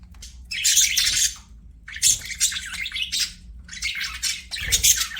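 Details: Playing budgies give loud, scratchy chattering bursts of about a second each, separated by brief quieter gaps, their notes buzzy and broadband with squeaky edges.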